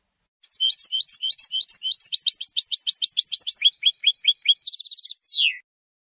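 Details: A European goldfinch in long uninterrupted song, which serves to defend territory and attract females. Rapid varied twitters shift into a fast series of downward-sliding notes, then a buzzy trill, and end in a descending note.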